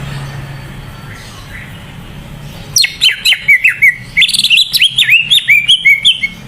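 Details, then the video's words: Greater green leafbird, kept bird singing energetically, used as a lure to make other leafbirds sing more; after nearly three seconds of quiet, a rapid series of loud whistled notes sliding up and down, in two bursts. "Suara cucak ijo gacor buat pancingan burung cucak ijo yang kurang gacor"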